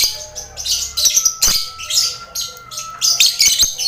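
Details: Lovebird colony housed with finches and quail, a lively aviary recording for contest-bird mental training: continuous shrill, rasping chatter with sharp chirps and a steady faint tone underneath.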